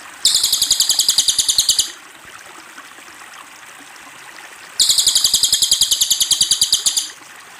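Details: Cililin song: two fast, high, buzzy trills of about fifteen evenly spaced notes, each lasting about a second and a half, separated by a few seconds of quiet. A faint trickle of water runs beneath throughout.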